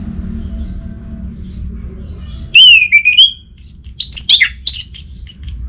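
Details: Orange-headed thrush lure song: one sweeping slurred whistle that dips and rises, followed by a jumble of scratchy high chattering notes and short chips, over a quiet low room hum.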